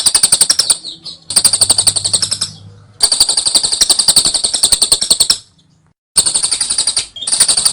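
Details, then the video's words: Ngekek trilling song of a lovebird for training: several bursts of fast, shrill, rattling chatter, each one to two and a half seconds long, broken by short gaps, with a low hum in one pause. "Masteran love bird ngekek jeda rapet"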